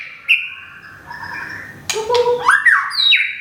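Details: A moulting white-rumped shama from Thung Song, Thailand, mixes a drawn-out whistle with a burst of dry clicks, followed by a low churring note and looping upward whistles.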